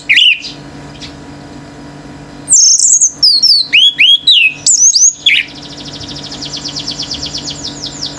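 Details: Male orange-headed thrush singing nonstop, making other birds join in wildly: a quiet pause, then a fast burst of varied whistled and slurred high notes, followed by a rapid series of buzzy descending trills, with a steady low hum behind.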